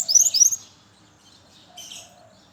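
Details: Brown-chested jungle flycatcher in the morning, used to lure others of its kind: half a second of quick, high, looping whistles, then faint, softer sounds in the background.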